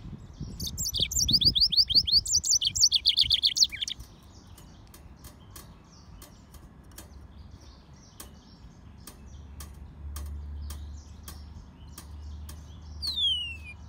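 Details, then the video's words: Caged hybrid of a yellow-fronted canary and a canary singing a fast run of high, sweet whistled notes and trills for about four seconds, then quiet with scattered clicks, low hum and one falling whistle near the end. "طائر الياسمين هجين الموزمبيقي serin mozambique xCanary"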